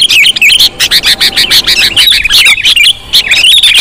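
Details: Sooty-headed bulbul lure recording: dense, bubbly chirps and short warbled phrases crowd together in a rapid, nearly continuous chatter with brief pauses, as if several birds call at once.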